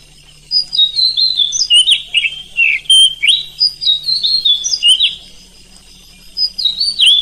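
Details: Night training song of an oriental magpie-robin, played to make other magpie-robins answer: a long varied sequence of sweet whistled phrases and twisting slurs, some rising sharply, in quick bursts after a quiet start.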